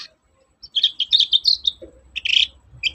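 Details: Long-tailed shrike singing lively, used to stir reluctant shrikes into song: a fast jumble of high chirps, twitters and short scratchy notes in bursts, with a brief lower note near the middle and faint low rumble beneath.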